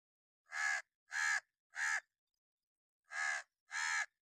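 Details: Crow, possibly a hooded crow, sounding an alarm or warning in an angry mood: three hoarse, loud caws at steady intervals, a short pause, then two more harsh calls.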